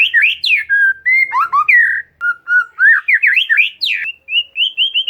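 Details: Oriental magpie-robin (kacer) song used as a lure to prompt a silent bird to sing: varied clear whistled phrases, slurred up and down, some quick rising notes, ending in a run of short repeated whistles.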